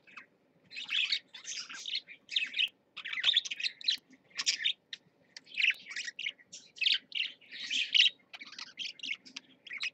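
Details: Two pet parakeets in a cage keep up quick, chirpy chatter: rapid squeaks and warbled notes in short bursts, with tiny clicks between phrases.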